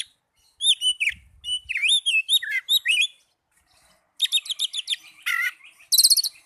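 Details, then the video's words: Oriental magpie-robin, song for getting young or silent birds to sing: a fast run of looping whistled notes, a pause, then dense high trilled bursts and a descending buzzy note. "Terapi burung kacer muda dan kacer macet bunyii"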